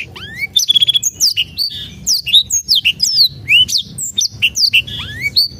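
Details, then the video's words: Song of a Black-throated canary, played to encourage birds that will not sing: opens with a rising whistle and a fast buzzy trill, then continues in quick, varied high chirps and swooping slurs. "PANCINGAN BLACKTHROAT MALAS BUNYI"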